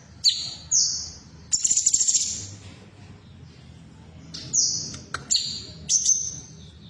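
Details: Female cucak cungkok, a bulbul, recorded to stimulate caged birds into song: clusters of high whistled notes with downward slurs and a rapid rattling trill midway, then a pause before more whistles.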